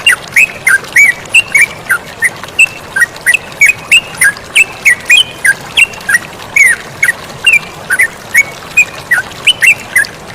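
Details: Yellow-vented bulbul in full lively song by flowing water, giving a continuous string of short, clipped chirps roughly three per second over a soft, constant background hiss of water.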